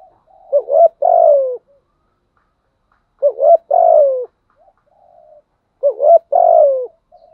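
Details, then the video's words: Spotted dove, a decoy bird giving the 'gù thúc' urging coo in a deep 'thổ' voice, said to suit wild doves; three mellow phrases, each a short hooked note then a longer falling coo, repeated about every 2.7 seconds, with quiet pauses. "chim cu mồi thúc gù nghe là ghiền ngay, giọng hay hạp bổi"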